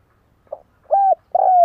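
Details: Decoy spotted dove calling to draw in wild doves. A brief soft opening note is followed by a level coo and a drawn-out coo that falls gently in pitch. The background is otherwise still.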